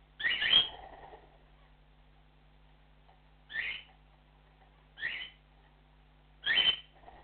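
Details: ['Cockatiel giving its flock call: four sharp upslurred whistles, the first and last longer and louder, separated by gaps of one to three seconds over a faint background hum.']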